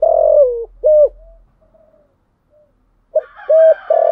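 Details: Lure spotted dove cooing to provoke other doves: a long rough coo ending in a fall, a short clipped note, a pause, then another short note and a long coo, with a faint low hum at the start and another bird sound at the end.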